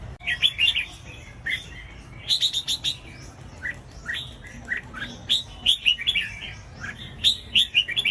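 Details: Red-whiskered bulbul song used to make other bulbuls sing: short bright whistled phrases of a few quick notes, repeated every second or two with gaps, over steady background hiss.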